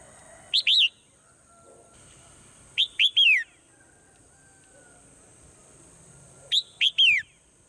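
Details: Swallow heard in the morning repeating a whistled three-note phrase three times, gaps of two to four seconds: two brief up-and-down notes and a longer downward slur, steady faint high-pitched hiss in background.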